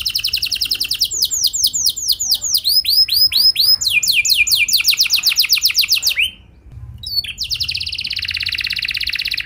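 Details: Canary song used as a lure to prompt other canaries to sing: long runs of rapid high trills, phrases of repeated downward-sweeping notes changing every second or two, a brief pause, then a dense buzzy trill.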